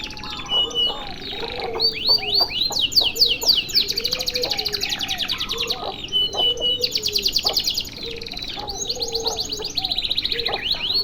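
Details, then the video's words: Long single-breath canary song for use as tutoring material: high whistled sweeps and dense rolling trills in several extended bursts, with quieter lower chirps from other birds underneath. "MASTERAN KENARI DURASI PANJANG SATU NAFAS"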